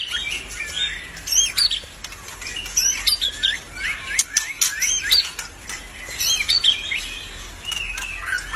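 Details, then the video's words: Lively song from an albino white-rumped shama: rapid chattering runs of short whistled notes, scratchy bursts and sharp clicks repeating across the whole stretch. "murai BATU ALBINO udah cantik gacor pula.."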